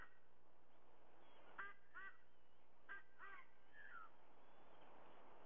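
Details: Honking white-bellied sea eagle, Sydney, Australia, early morning of 30 September 2022 at a nest: two clear doublets of loud, harmonic goose-like honks about a second apart, then a short descending note, over faint background noise.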